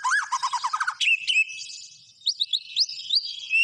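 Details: White-rumped shama singing a brief burst: rapid stuttering trill, then sharp rising whistles and scattered high chirped notes after a short gap.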